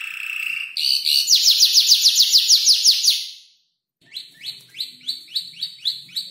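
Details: Canary around five months old practising its song with mimicked tutor-bird phrases; a steady whistled note, then a loud rapid rattle of falling notes, a pause, and a softer series of repeated chirps.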